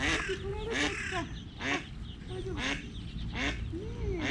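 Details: Early-morning Eastern spot-billed duck family on the move, mother with little ducklings, during a cat attack on two chicks; loud rasping quacks with rising-falling contour come in irregular bursts about once a second over low noise.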